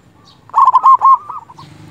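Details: Local zebra dove in loud, persistent song meant to call a rival and provoke it: a quick series of bubbly, rolling coos at a steady mid pitch, fading into softer trailing notes after about a second, with a faint low hum underneath.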